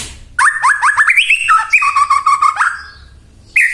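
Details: White-rumped shama song used to provoke other shamas to sing: a rapid run of rich, rising whistled notes, then a steady trilled phrase, ending in brief silence and a new sharp note.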